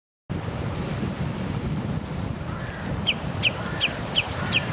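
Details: Common redshank recorded on 24 June 2011: five sharp, high piping notes in quick succession, about three a second, over a steady rumble of wind or surf.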